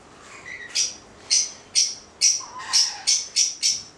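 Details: Two male white-bellied caiques of the xanthomeria subspecies call in a steady series of eight sharp, piercing screeches, roughly two to three a second, with a faint lower whistled note between them.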